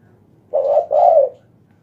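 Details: Spotted dove calling at night, with a loud voice: two low mellow coos, the second longer and falling slightly at the end.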